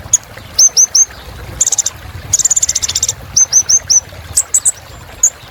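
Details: Kolibri ninja sunbird singing thin high chirps, mostly in a three-note falling series, broken by two fast buzzing trills, then more quick chirps.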